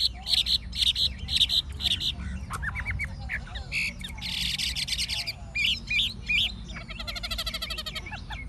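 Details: Caged wild-caught Chinese hwamei with a forest voice. It gives loud repeated high doubled notes, then buzzy rasping bursts and a fast rattling trill, against steady low-pitched background noise.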